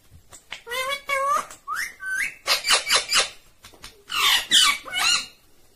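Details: Green Indian ringneck parakeet talking and whistling indoors: harmonic, speech-like syllables, an upward-swooping whistle, then a run of rapid sharp clicky notes and further chattering phrases.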